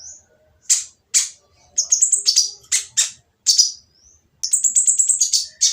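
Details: Harsh, noisy song of an oriental magpie-robin, used to goad quiet magpie-robins into singing: loud rasping bursts alternate with high whistled notes, ending in a fast chattering series of short repeated syllables.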